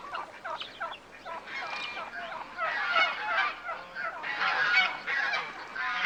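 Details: A flock of domestic geese in a farmyard honking loudly, with nasal, brassy calls overlapping in a continuous, uneven clamour.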